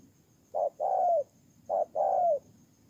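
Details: Spotted dove kept as a decoy bird on the ground in Tu Mơ Rông, Kon Tum, Vietnam, September 2018; two matched phrases, each a brief coo followed by a longer coo that drops in pitch at the end.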